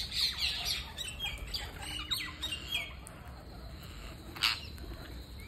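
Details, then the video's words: Parakeet at a feeding, giving quick high chirps and short downslurred squawks at the start, then quieter, with one sharp click-like burst late on against a hissing background. "Parakeet Feeding"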